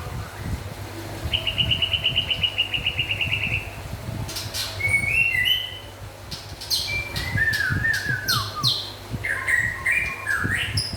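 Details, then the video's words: White-rumped shama, described as local and forest birds in lively song: a fast even trill of repeated notes, then varied slurred whistles, rising and falling phrases and sharp chirps, over a steady low hum. "Meriah nya Suara Murai Batu LOKAL Dan Hutan"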